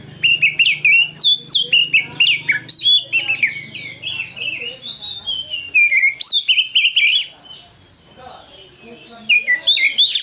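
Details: Oriental magpie-robin singing energetically: dense bursts of bright whistles and scratchy trills, several loud phrases in quick succession, then a brief quieter pause before the song resumes with clear rising whistles.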